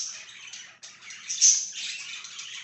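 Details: A budgerigar warbles softly in scratchy, buzzy chatter, with one brief, louder chirp in the middle.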